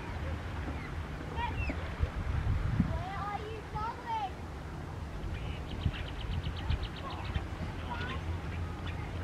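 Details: Indian mynas perched up in a palm tree in Australia, where they are not native, singing: twisting whistled slurs and gurgles, then a fast rattling series of clicks, above constant low-frequency background noise.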